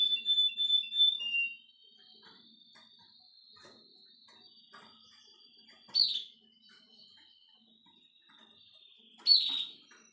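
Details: Nine-year-old male Russian canary teaching his grandchildren: an opening burst of high, pure whistled trills lasting under two seconds, then quiet thin tones, with two short bright bursts near six and nine seconds.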